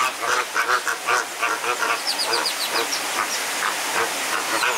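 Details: Fighting flamingos at a botanical garden in Deshaies, Guadeloupe, give harsh, nasal honks repeated in quick bursts, joined midway by thin, high, downward chirps from other birds.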